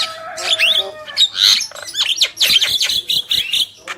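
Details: Black-winged myna, male and female, producing a busy stream of raspy squawks and chirping whistled notes, with a steady low tonal hum underneath.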